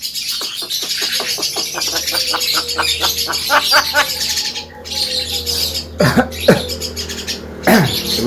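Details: Javan myna (jalak kebo) in energetic song, offered as a master recording for training other birds: a rapid train of dry clicks, then harsh, noisy chatter with sharp descending squawks near the end, over a steady low hum.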